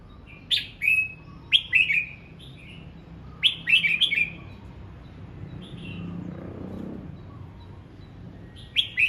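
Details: Morning song from a red-whiskered bulbul practising its voice: clusters of two or three lively whistled notes repeated four times, sliding downward, with a soft low rumble in the quiet middle stretch.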